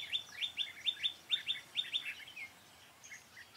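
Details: Red-whiskered bulbul used as a decoy in trapping, singing to draw in and fight wild birds, 4 February 2017: quick run of sharp, falling chirps that slows into a few softer, separate whistled notes.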